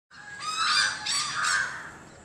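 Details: Indian hornbill, known in Marathi as Dhanesh, near Sawantwadi in Sindhudurg district, Maharashtra, giving three harsh, honking, squealing notes in quick succession over about two seconds, in a quiet setting.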